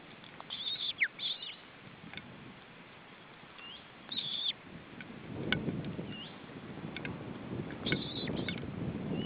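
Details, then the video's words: Osprey at its nest during feeding in July 2012, giving short clusters of high, thin chirps in several bursts spread across the clip, over steady hiss and low rumbling background noise. "Osprey nest: Feeding"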